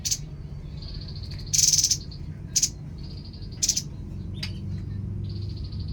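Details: Babbler song with short high trilled bursts and sharp chirps at irregular intervals, mixed with long flat high whistled tones. A steady low rumble fills the background.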